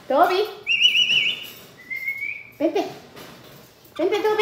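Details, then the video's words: Pet Amazon parrot indoors imitating laughter: short harmonic chuckling bursts alternating with steady, level whistles, one slightly rising, with quiet room noise between. "loro riendo"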